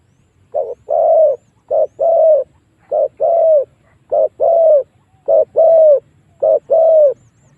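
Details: Spotted dove lure call to entice wild doves to fight: six regular couplets, each a clipped coo and a drawn-out falling coo, spaced about 1.2 seconds apart, with a faint low rumble.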